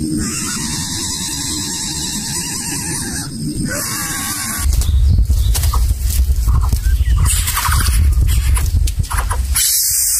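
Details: Greater Coucal nestlings of different sizes in a nest give harsh, wheezy squeals in rapid bursts, the smallest unable to get food; loud low rumbling and rustling noise then covers the rest.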